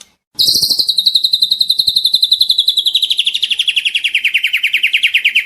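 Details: White-rumped shama, a young bird, singing a long rapid trill of sharp repeated notes, about four per second, starting high and sliding gradually lower over five seconds.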